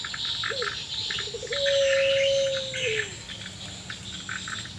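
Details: One puter pelung Barbary dove, said to be sad or in breeding condition and answering others: a brief rising note, a few quick pulses, then a long steady coo that drops at the end, above constant high chirping.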